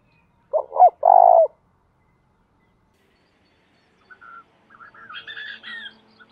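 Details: Spotted dove kept as a decoy to attract wild doves gives one coo phrase, two quick hooting notes then a drawn-out throbbing coo. Later come higher, thin chirps from another bird.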